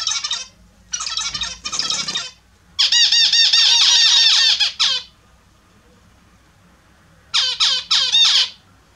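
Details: Several pet Australian zebra finches calling during their morning bath: bursts of nasal, harmonic-rich beeping notes, repeated rapidly in clusters with short quiet gaps between.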